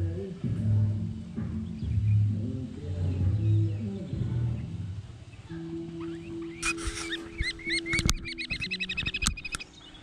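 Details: Collared falconets (Microhierax caerulescens) in hunting training give shrill, high chattering calls in quick bursts in the last few seconds, over a low rumbling drone like music or an engine.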